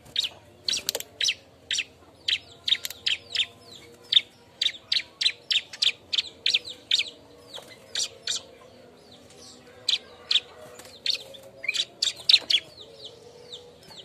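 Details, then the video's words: Restless bar-winged prinia calls while looking for a mate: dense runs of high, sharp chipping notes, loud and fast at first, thinning briefly before picking up again toward the end. "suara burung ciblek ribut nyari kawan"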